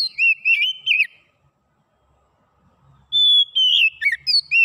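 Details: Oriental magpie-robin song for stimulating a quiet bird to sing: a twittering, slurred phrase fades into a pause, then a long clear whistle launches another run of fast looping notes.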